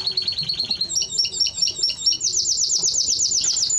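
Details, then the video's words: Timbrado Español canary song of repeated-note trills, starting with steady pulses, moving through stepped double notes and ending in a fast, bright, even high roll. "Timbrado Español Canario song - Canario Cantado"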